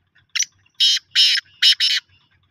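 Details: Kala tatter, the black francolin, calling clearly: a brief scraping note followed by four broad, buzzy, rasping bursts grouped two and two, the whole phrase lasting under two seconds against near silence.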